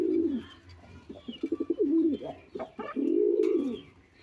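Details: Domestic pigeons kept on a balcony hobby farm, with the female soon to lay eggs, call to each other in low, throaty, rolling coos in bursts, with faint chirps in the background.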